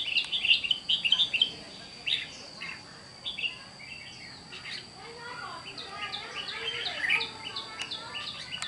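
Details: Red-whiskered bulbul, a wild-caught bird kept in a cage, filmed 8 June 2023: a rapid string of sharp chirped notes opens, followed by scattered warbling phrases and a livelier burst near seven seconds, with a constant high hum behind.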